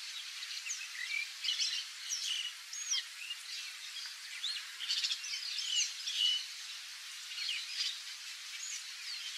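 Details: Wild Yellow-rumped Marshbirds chatter nonstop in a tangle of high, sliding whistles and sharp chirps from several birds calling over one another.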